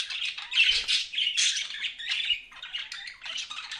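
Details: Pet budgies keep up a steady buzzy warble with harsh squawky notes, scratchy chatter running without pause, one low knock heard early on.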